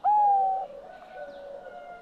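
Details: Perkutut Bangkok, or zebra dove, giving its manggung song: one loud, drawn-out, level coo lasting over half a second, followed by softer low humming notes.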